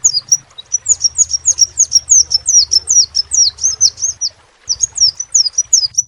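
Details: Song of a crimson sunbird, a bird kept for its singing: a rapid run of high, sharp, downslurred chirps at about two per second, a brief gap, then more, over a soft low hum.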